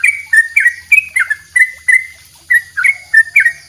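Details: Yellow-vented bulbul, locally trucuk, singing its long 'dobel ropel' master song: sharp chirps and slurred notes tumbling several per second, with a brief pause midway and a faint low hum behind.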